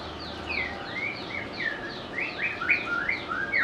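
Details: White-rumped shama, a bird kept by bird lovers and able to mimic other birds, singing a rich, varied run of quick slurred and whistled phrases, some falling, some rising, with bright ringing notes, delivered continuously.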